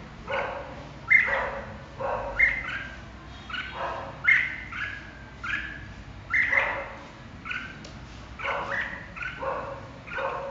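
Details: Red-whiskered bulbul giving a series of short, liquid warbled phrases roughly every second, each with a clear whistled peak dropping to a lower mellow note, fairly evenly spaced over a quiet background.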